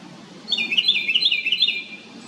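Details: Loud, rapid chatter from a little house wren: repeated bright notes tumbling quickly for around one and a half seconds, low faint ambient noise underneath.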